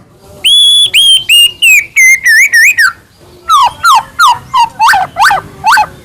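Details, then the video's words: White-rumped shama, Medan type, singing as a lure to provoke other shamas: clear ringing whistles, first level then wavering notes, a short break, then a series of sharp swooping notes about three per second. "murai batu gacor AMPUH buat PANCINGAN murai batu agar bunyi"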